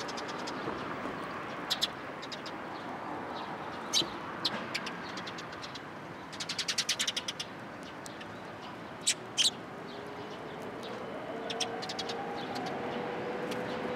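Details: Sparrows at a shrine coming to a feeding post for food, recorded 6 April 2023; short, sharp high chirps scattered through the recording, with a brief rapid cluster near the middle, over steady low background hum.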